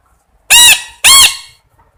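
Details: Parrot giving two loud, harsh squawks about half a second apart, each rich in bright overtones with a slight arching pitch, in otherwise quiet surroundings.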